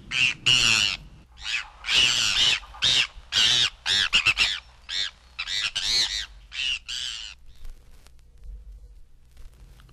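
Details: Bonaparte's Gull, from a 1961 audio field guide to eastern and central North American birds, gives harsh, raspy, tern-like calls in quick bursts, about a dozen in seven seconds, then fading to a faint background hum.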